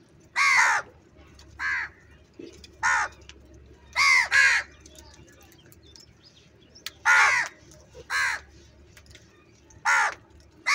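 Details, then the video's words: Crow calling while eating food: loud raspy caws, singly and in quick doubles, spaced one to three seconds apart over eleven seconds against a quiet humming background. "Crow birds loudly crowing sound - کوے کی آوازیں , Crow Sound | Clear crystal Crow Eating food"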